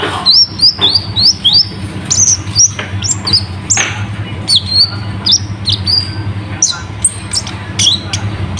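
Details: Sunbird known locally as konin, a tutor recording of full imitative song: series of very high, sharp whistled notes repeated about twice a second at first, then scattered bright chips, over a low continuous hum.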